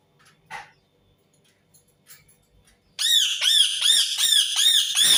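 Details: Indian ringneck parakeet giving a rapid run of about six harsh, arched screeches in close succession, loud and grating, following a few seconds of near quiet with a faint click.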